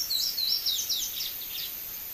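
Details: Sayaca tanager fledgling that fell from the nest gives a quick run of thin, high, slurred squeaky notes, about six in two seconds, fading toward the end over a faint background hiss.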